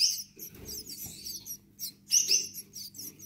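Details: Young Gouldian finches giving high, squeaky, buzzy chirps in short bursts separated by pauses, with soft rustling and a low steady hum in the background.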